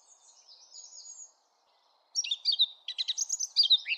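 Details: Eurasian blackcap: a soft, thin, high trill fades out, then after a short silence a loud burst of fast, chattering and whistled notes follows.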